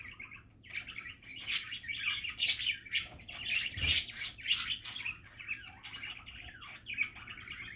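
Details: Happy, relaxed budgerigar chatter: a near-continuous stream of scratchy warbling and clicks, rising into dense bursts, with one soft thump midway.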